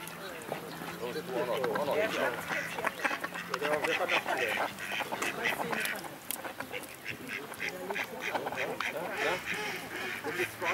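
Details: Several mallards fighting at Walsrode, Germany, 11 September 2011, quacking hard and fast in harsh, nasal, overlapping calls forming a busy, agitated chorus; a person's voice is heard briefly.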